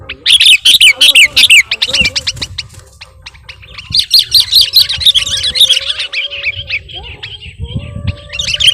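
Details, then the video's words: Lure recording of a sooty-headed bulbul in lively, mimicry-filled song. Fast runs of high, twittering notes pour out almost without pause, fade briefly around the middle, then resume in a second busy chattering stretch. "KUTILANG PIKAT || BURUNG LEGEND FULL ISIAN DAN GACOR"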